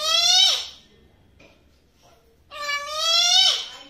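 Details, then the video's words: Talking pet parrot indoors giving two loud, drawn-out harmonic calls that slide downward at the end, sounding like a cat's meow, separated by a quiet pause with faint clicks. "Amazing Talking Parrot ਬਹੁਤ ਹੀ ਸੋਹਣਾ ਪੰਛੀ ਤੋਤਾ, ਮਿੱਠੂ , ਗੱਲਬਾਤ ਕਰਦਾ ਹੋਇਆ"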